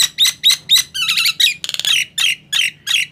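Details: Nias hill myna singing, used to prompt silent mynas into song: loud squawky whistled notes high in pitch, about four per second, some with harsh buzzy rattles in the middle.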